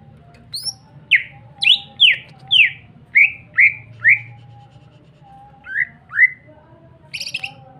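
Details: A greater green leafbird in full song gives a lively run of clear, downslurred whistles, about one every half second, ending in a harsher, buzzy note over a low steady hum.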